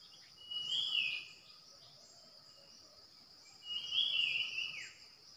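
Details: Decoy bulbul, 8 May 2021: two distant slurred whistles, each about a second long, rising then dropping, heard over a hiss of background noise and a steady shrill high-pitched drone.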